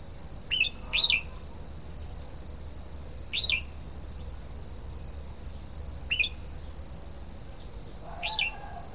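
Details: Red-whiskered bulbul song given as short, bright whistled phrases spaced a few seconds apart. A steady thin high whine and a low background hum run throughout.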